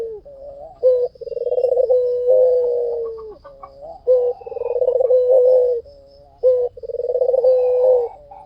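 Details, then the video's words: Vigorously cooing white dove, a lure recording. A short sharp note opens each phrase, then a buzzy rolling trill smooths into a long, level, low hum. Three phrases arrive in steady succession. "SUARA PUTER PUTIH FULL GACOR || PANCINGAN AMPUH"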